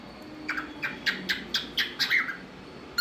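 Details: Talkative pet cockatiel making different sounds: a regular series of about eight short buzzy chirps, one every quarter second, ending in a brief whistle and a sudden loud note.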